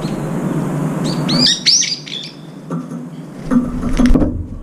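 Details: Brown-eared bulbuls feeding at a window feeder; a quick burst of piercing, downward-curving squeals in the middle, followed by tapping and clattering sounds near the bowl.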